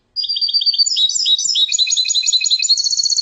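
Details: European goldfinch in full song, a continuous rapid stream of high, tinkling, twittering notes and short buzzy trills, varied and unbroken for about three seconds, with nothing else audible.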